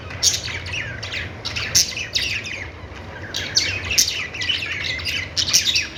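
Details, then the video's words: Budgerigars chirping: bursts of busy, high twittering chatter with short squeaky notes, several birds overlapping, and a steady low hum underneath. "Budgies singing |budgies sounds | parakeet chirping sounds"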